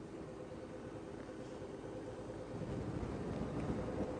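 Steady broadband rumble like a vehicle engine or wind, growing slightly louder toward the end, with no animal calls.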